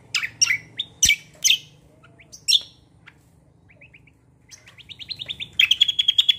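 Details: Bulbul singing in a chatty style locally called kombo roll tembak: sharp, bright chirps in quick bursts, a pause of faint soft notes, then a fast run of rising high notes with a low hum behind.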